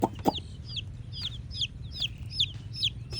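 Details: Red chicken chicks chirping: a steady run of high, thin peeps that slide downward, roughly three per second, with a couple of low clucks at the start over a faint low rumble.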